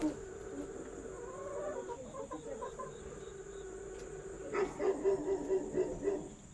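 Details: Hens preparing to lay eggs, about three at once: soft low murmuring and faint clucks, then a loud burst of rapid, evenly spaced clucking notes over the last two seconds, with a person talking and insect-like background hum.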